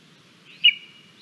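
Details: A hungry female lesser spotted eagle chick on a Latvian nest camera, fed a frog and a vole by its parents, 28 July 2022, gives one sharp, high, slightly rising begging peep over a faint whine and low rumble.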